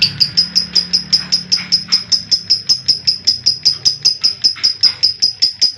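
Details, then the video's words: Lovebird in its long 'ngekek' trill, natural sound meant to coax young and adult lovebirds into trilling: rapid, regular, piercing high notes running unbroken for several seconds over a soft low hum. "Masteran Lovebird Yang lagi Viral, Ngekek Panjang Suara Asli Jernih, Jos Buat Pancing Paud & Bahan"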